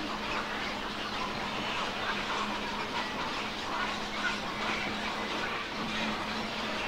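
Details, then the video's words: Young black-crowned night herons at Lac de Maine, Angers, France, on 24 July 2024 give a continuous chorus of harsh, raspy, quacking squawks, overlapping without pause, over a steady low hum. "BIHOREAU Gris/Nycticorax nycticorax/Jeunes ! BRUITX"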